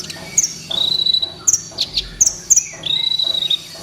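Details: Kolibri ninja sunbird in a lure recording made to train captive birds and stir a lazy singer. Thin, sharp high chirps alternate with long, level, high trills. A fast rhythmic background chatter runs underneath.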